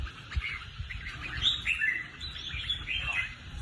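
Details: Caged red-whiskered bulbul singing a string of quick, slurred whistled notes and chatters that rise and fall, steady low background hum underneath.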